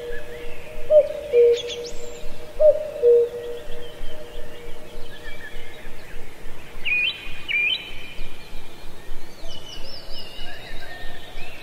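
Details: Cuckoo singing in a lush ancient forest at Pallandri, Azad Kashmir: two low, falling two-note 'cu-coo' phrases near the start. Thinner, higher whistles and chirps from other birds follow over a soft background hiss.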